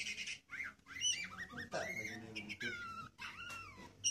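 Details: Oriental magpie-robin persistently seeking a rival and even challenging its owner, singing whistled slurred notes, several falling glides and warbles, over background voices and music.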